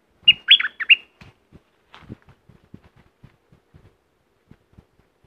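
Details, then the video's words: Streak-eared bulbul from southern Thailand giving one quick bubbly phrase of three or four liquid chirps, followed by scattered soft low knocks. "เสียงนกดอกแตงภาคใต้Ep2.Burung merbah lekir bay hoach thom gacor bahanan"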